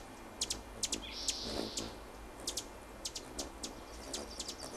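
Hummingbird chirping: sharp, very high chips repeated irregularly, roughly two or three a second, with one brief buzzy squeal. A faint background hum runs throughout.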